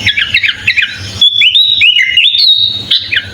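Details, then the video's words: Sooty-headed bulbul (kutilang) singing a full-isian song packed with filler phrases, used as a master for tutoring other birds: chattering squawky notes, then a run of clear whistled steps rising and falling, over a faint low hum. "Suara kutilang full isian"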